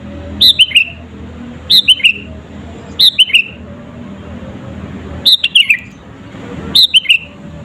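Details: Lure song of a sooty-headed bulbul meant to provoke rival birds: five loud phrases, each a high whistle dropping through two or three slurred notes, spaced about one to one and a half seconds apart over steady low hum.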